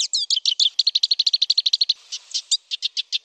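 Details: A Black siskin, recorded as a master song for training songbirds, sings a long, fast, high, twittering trill of buzzy repeated notes, about eight per second, briefly breaking off before resuming.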